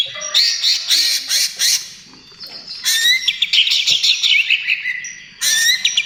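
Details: Energetic greater green leafbird (cucak ijo trotol) song meant to lure and calm other birds: bursts of scratchy, rattling phrases and sharp whistled notes, separated by brief quieter pauses.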